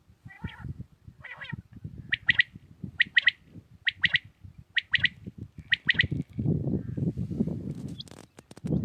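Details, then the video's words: Early morning in Pakistan, a common quail repeats its crisp three-note phrase five times at steady intervals under a second apart, after two buzzy calls from another bird, ending in loud rumbling noise. "Batair Ki naye Awazay| New Common Quail sounds| Batair Ki Awaz | Quail singing early morning in pak"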